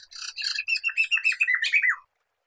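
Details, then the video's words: Black-throated laughingthrush used for mastering songbirds: raspy chatter merging into a quick run of clear, descending, looping notes, about eight within two seconds, ending on a falling slur. "Kicauan Poksay Mantel (Poksay Medan)"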